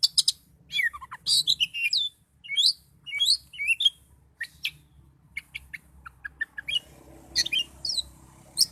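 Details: Oriental magpie-robin singing with high emotion, jerky bursts of bright whistled and slurred notes followed by a series of short descending chirps, over faint low background hum.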